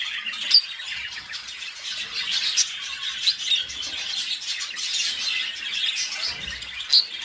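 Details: Budgerigars, described as singing mating calls, fill the air with a dense, continuous high warble broken by sharp squawks and chirps.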